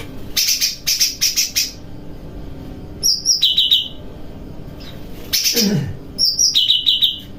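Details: Cucak rante bulbul singing cheerfully while bathing at night, practising kapas, tembakan and besetan; opens with four quick sharp high pulses, then a high trill dropping to a lower trill, repeated, with a splash-like thump between.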